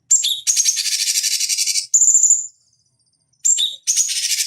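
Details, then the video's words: Cucak cungkok bulbul in a master recording meant as a lure for training fighting birds: high buzzy rattling phrases with short whistled notes, a clear whistle near two seconds, then a gap of silence before more chatter. "Masteran Pancingan Cucak Cungkok Ampuh Untuk Terapi Dan Masteran Burung Petarung"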